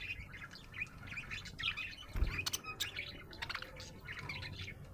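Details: Happy budgerigar chirping: dense, scratchy warbled chatter of short notes at mid-high pitch, with clicks and a steady low hum underneath.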